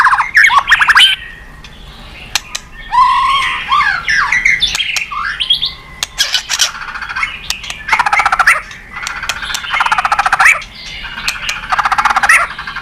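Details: White-rumped shama in a lively singing bout meant to draw other birds into song, alternating buzzy rattling trills with tumbling whistled phrases and sharp snapping notes across nearly thirteen seconds.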